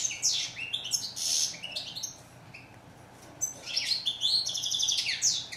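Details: European goldfinch song of bubbling, tinkling twitters and brief buzzy rolls, broken by a short lull before a second, sustained burst of high chatter.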